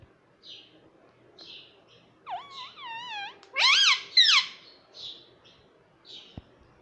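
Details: Talking pet rose-ringed parakeet, kept indoors and taught 'mummy papa': soft high chirps, then a run of wavering speech-like syllables in the middle before louder bent notes and quiet chirping again.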